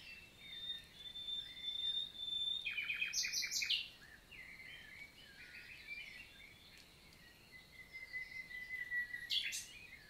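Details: Morning song of a common nightingale, summer, 11 June 2023, Lot, southern France; a long pure whistle, then a stuttering burst of clipped notes, later a rising drawn-out whistle ending in a sharp flourish.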